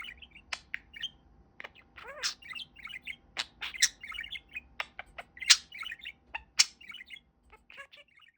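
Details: Pet budgerigar, a fluffy male kept indoors and said to love his new talking phrases, delivering a fast scratchy warble of clipped chirps, clicks and buzzy syllables in irregular bursts, with a faint steady hum underneath.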